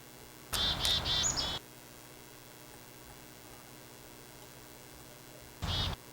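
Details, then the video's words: A chickadee gives a brief burst of high, slightly buzzy call notes, then a second short note a few seconds later, over rough background noise. "That was a chickadee, that little sound you just heard there."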